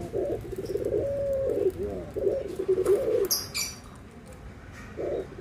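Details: Barbary dove, white and brown forms compared, cooing in soft, breathy low phrases with a held note and short separate coo bursts, partly blurred by background noise, with high chirps from other birds.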